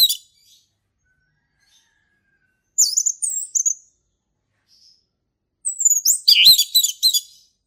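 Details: Male orange-headed thrush singing ngeplong in the forest: short high squeaky phrases separated by pauses, ending in a dense burst of rapid sharp whistles and chirps.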